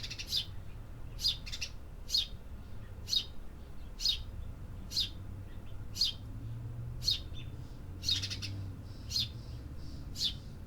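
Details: City birds calling: crisp high chirps repeated about once a second for ten seconds, a few doubled, with constant low-pitched city noise beneath.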